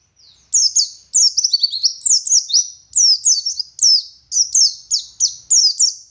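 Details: Singing Oriental white-eye, a West Java Garut local bird, in the 'wit wit' and 'ngeriwik' style: shrill, sweeping chirps tumble rapidly in clusters, some notes dropping steeply, forming an unbroken lively phrase.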